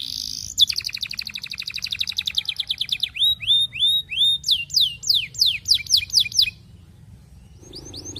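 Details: Canary song directed at a female, used to prompt other canaries into long rolls: a long fast trill, then rising curved whistles and quick descending slurs, followed by quiet and a brief final phrase.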